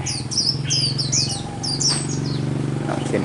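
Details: Crested wild-type white-eye singing a song with borrowed sunbird and skylark notes: quick high thin chirps and slurred whistles in bursts, pausing, then a shorter phrase, over a steady low hum and a man talking.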